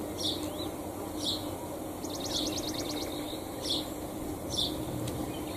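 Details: House sparrows feeding on seeds and grain: short bright chirps repeated roughly once a second, a quick dry rattling trill in the middle, over a steady low background hum.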